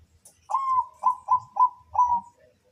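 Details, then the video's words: Zebra dove (perkutut) singing a phrase that opens with a long smooth coo, continues with three short staccato notes, and closes on a longer drawn-out coo, all at one steady mid pitch. "merduh suara burung perkutut"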